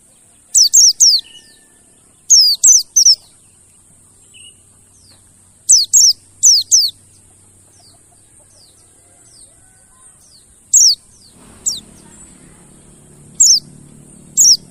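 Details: Mountain white-eye song serving as a lure to make quiet birds sing: sparse pairs and triplets of shrill, quick downslurred chirps with long gaps, steady high whine throughout, and a low rumbling noise near the end.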